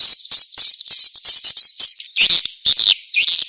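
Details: Lure call of the edible-nest swiftlet, played to attract the birds. Dense, very high, shrill chirping runs in quick succession, with a few louder, sweeping squeaky notes after a brief dip.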